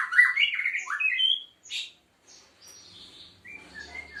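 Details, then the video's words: White-rumped Shama of the Aceh type, seven months old, bowing while it sings: a loud burst of slurred whistles and a scratchy note, then quieter thin high whistles after a short pause. "Murai Aceh"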